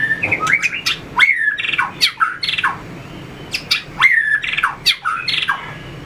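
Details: Captive white-rumped shama during fighting song training with tail flicking: repeated harsh squawking and buzzy down-slurred notes, roughly one burst per second, mixed with clicks.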